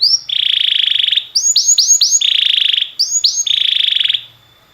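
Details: Canary singing, recorded for training other canaries: a short rising whistle leads into a long rolling buzzy trill, then quick upward-slurred notes and another sustained rolled trill. The background is otherwise quiet.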